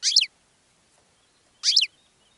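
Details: Goldfinch song used to attract other birds: two brief, bright chirping notes about one and a half seconds apart, high and slightly buzzy, against near silence.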